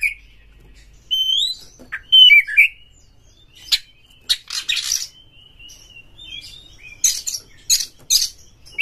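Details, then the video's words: Oriental magpie-robin (kacer) song played to push caged magpie-robins to sing and fight: rising whistled notes and slurred phrases, then a series of sharp, harsh high bursts repeated about every half second. "Pancingan KACER TOP2024 bikin burung KACER Buka Ekor KONSLET bongkar MATERI FULL NGOTOT DAN TARUNG"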